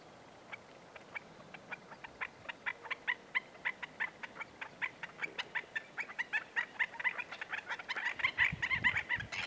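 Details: Black-necked Stilt calling at Goldwater Lake, Prescott, Arizona, on the morning of May 14, 2017, via Canon VIXIA HF R600: piercing yelping notes repeated about twice a second, growing louder and faster toward the end, with a low rumble near the close.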